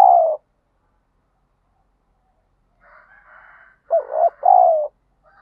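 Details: Spotted dove used as a decoy bird, trained daily to provoke fighting and lure wild doves: a loud hoarse coo opens, then faint murmuring, then a strong two-part coo phrase with a brief gap.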